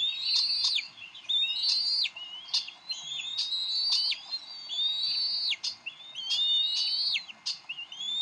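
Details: Squabbling adult Bald Eagles at the Decorah nest on 30 May 2012, the female winning the fish. Repeated phrases of piercing, wavering whistles, each closing with a sudden drop, punctuated by sharp ticks.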